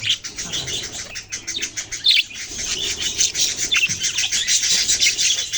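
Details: Budgerigar chicks chattering: busy, high-pitched twitters and short tweets pour out without pause, several birds overlapping, with an occasional louder chirp cutting through near the middle.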